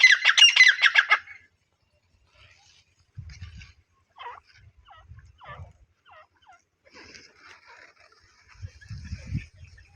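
A grey francolin gives a loud, harsh, ringing burst of calls, followed by fainter, scratchy repeated notes and some low thumps.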